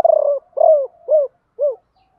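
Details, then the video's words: Spotted dove kept as a decoy, cooing to lure wild birds in the local style called "gọi ba hậu" (some call it "bổ ba"): four mellow, falling coos, the first drawn out and the last shortest, in a quiet setting. "Chim cu gáy mồi gáy gọi ba hậu, nhiều anh em bảo là bổ ba"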